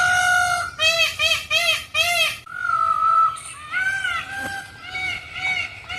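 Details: Indian peafowl calling: four loud, nasal, arched wails in quick succession, then longer drawn-out cries with rich harmonics, rising and falling, against a low background rumble.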